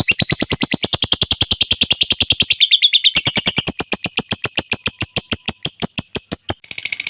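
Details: A lovebird's extended ngekek chatter, fast buzzy pulses stacked high, dipping briefly in pitch then settling into a thinner, level rattling trill before a burst of harsher noise at the end.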